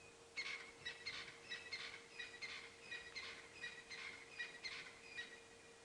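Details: A crested francolin gives harsh, scratchy, rattling notes in quick bursts, about one every two-thirds of a second, over a steady low hum, at sunrise on 26 September 2016 on a very quiet, cooling African safari morning.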